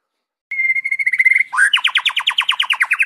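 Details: Wild white-rumped shama singing clearly in nature, recorded as a model for training captive birds: a steady, level whistle lasting about a second, then a quick upward slur into a rapid trill of sharp, downward-slurred notes, around eight per second.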